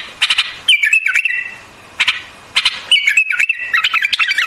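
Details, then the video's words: Bubbly, chattering whistled phrases of a white-eared bulbul, introduced by sharp taps, dipping and rising in quick succession, the last phrase breaking into a rapid stuttering flourish. "Singing of White-Eared BULBUL, The beautiful sound of White-eared bulbul, صوت البلبل أبيض الأذنين"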